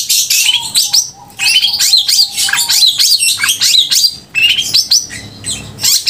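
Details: Long-tailed shrike in loud, clear song to provoke emotion and mating desire in other shrikes; energetic bursts of high slurred whistles and squeaks, separated by short pauses, with a low whistled note early on.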